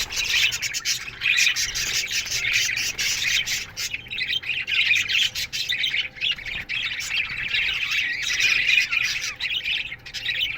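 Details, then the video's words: Budgerigar colony in an aviary during the morning, a dense, continuous chorus of high chirps, warbles and squawks overlapping from many birds, rising and falling in loudness without pause. "Budgies Morning Chirping Sounds"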